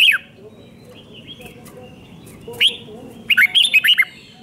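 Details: Red-whiskered bulbul singing a doubled, five-syllable song used to teach young birds. A clipped bright note at the start, a quiet gap with soft faint notes, then a rapid run of clear whistled syllables near the end.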